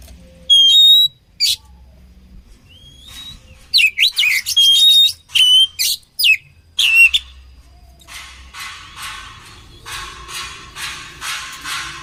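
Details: Oriental magpie-robin (kacer) singing for bird training: clear whistled notes and rapid harsh chattering phrases, followed by a series of softer repeated rasping notes.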